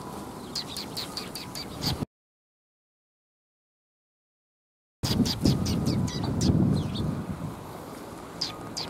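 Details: Sparrows at a Tenmangu shrine on the afternoon of 10 December 2021, giving short sharp chirps in quick bursts, broken by a stretch of silence, with low traffic rumble underneath.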